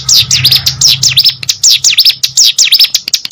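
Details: Actively singing hill prinia kept as a pet: rapid high, sharp whistles shaped like quick dips, repeated in clusters over a steady low hum.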